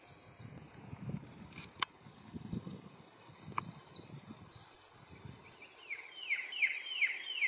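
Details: Varied sittellas in the Capertee Valley, Australia, in the nesting season from eggs to fledglings; sharp high twittering notes in quick bursts, then a run of descending whistled slurs, with low thumps and rustling throughout.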